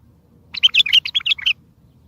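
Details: Bulbul giving a strong song phrase meant to make other bulbuls respond, also used for trapping: one burst of roughly eight rapid, bright notes within a second.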